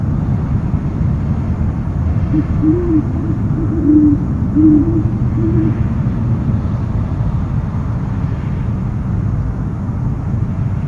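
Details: Owl on a live nest camera, 13 January 2015 at 1:44 pm; a brief cluster of four or five muffled low hoots midway, then only a continuous deep background rumble.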